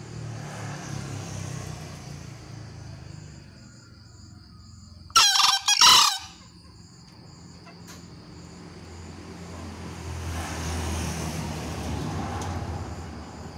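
A green junglefowl gives one short, hoarse, two-part crow, harsh and split in the middle, over steady high insect buzzing and a low distant rumble.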